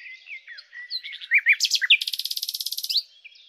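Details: Common nightingale (Luscinia megarhynchos) singing: scattered sharp chirps and slurred notes lead into a rapid, buzzy trill of about twenty even pulses lasting a full second, then a brief thin note.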